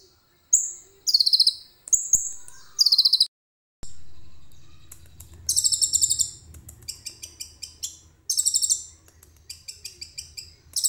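A common iora sings high, rapid, chattering bursts and buzzy trills in quick repeated phrases. A faint low hum runs underneath in the second half.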